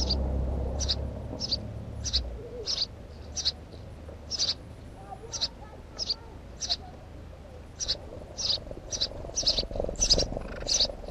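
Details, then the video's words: House sparrow producing a rapid, persistent string of high, sharp chirps, some overlapping near the end, with low rumbling noise at the start and a louder burst late in the recording. "Воробей домовый"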